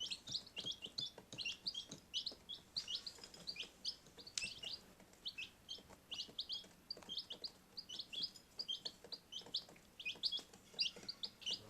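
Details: Baby chicks kept indoors in a utility room, a group peeping together in short, high chirps that come in quick, overlapping bursts.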